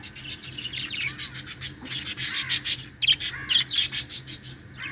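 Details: Budgerigars chirping happily while playing, a dense stream of scratchy, buzzy warbles and high chattering pulses, rising and falling in bursts roughly twice a second, with rasping rubbing sounds throughout.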